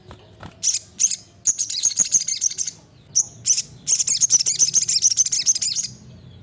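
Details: Olive-backed sunbird singing persistently as a master song for training birds: rapid runs of shrill, high-pitched twittering notes, repeated about three times per second, breaking into dense sparkling trills.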